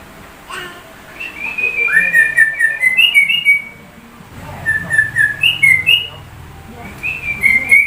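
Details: Sooty-headed bulbul singing with white-rumped shama mimicry, two bursts of rapid rising and falling whistled notes separated by a short pause, sweet clear tones over a faint low hum.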